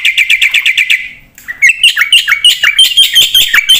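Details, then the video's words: Javan pied starling in lively full song, used to prompt replies from other birds; a fast string of evenly pulsed notes, a short pause, then varied whistled and slurred phrases at a quick pace. "pakai suara burung jalak putih gacor full isian buat pancingan dan masteran pasti nyaut"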